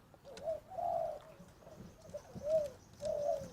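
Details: A young, newly caged, white-coloured spotted dove, under a year old and of uncertain sex, coos a steady phrase of four to five soft, low hooting notes with a drawn-out middle coo.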